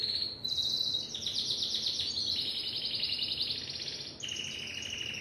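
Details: Singing Timbrado canary delivers a sustained sequence of fast, pulsed rolls and trills, pitch stepping down then jumping up near the end, bright and continuous, with a quiet clean background.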